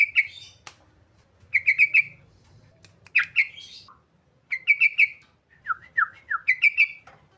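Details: Sooty-headed bulbul song used to stir quiet birds into singing: quick groups of bubbly, chattering notes repeated every second or two, with a few downslurred single notes near the end over faint low hum.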